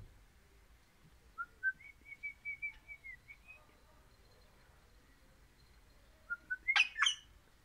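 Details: Pet crimson rosella described as orange, whistling a steady series of about eight clear, level piping notes, then after a pause a few rising whistles ending in a sharp harsh squawk.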